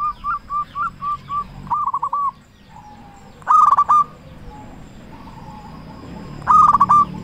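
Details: Loud local zebra dove used as a lure to excite other doves into song. A row of short, soft coos gives way to two rolling, bubbling bursts spaced a few seconds apart.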